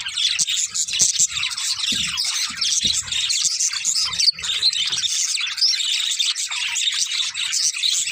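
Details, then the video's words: Budgerigar pair chattering nonstop, a busy mix of scratchy twitters, squeaks and quick whistled notes overlapping throughout, with a few faint low knocks in the background. "Cute Budgies Chirping Sounds"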